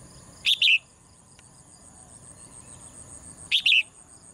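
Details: Female cage bird singing in the morning, two quick two-part chirps about three seconds apart, high and bright with a falling tail, over low steady noise and a thin hum.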